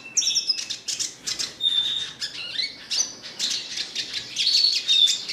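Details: Red siskin in a twittering song: high, buzzy trills and short whistled notes, with sharp chirps and a brief pure whistle near the end, in bursts over roughly five seconds.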